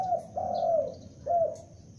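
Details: Young spotted dove kept as a lure bird, calling loudly: three low, hollow coos, each sliding gently downward, the middle one drawn out longest, with a short pause before the last.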